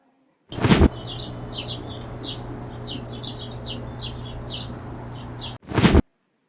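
A hummingbird gives thin, high, squeaky chirps, often in quick pairs, about a dozen over five seconds, over a low steady hum with loud thumps at both ends.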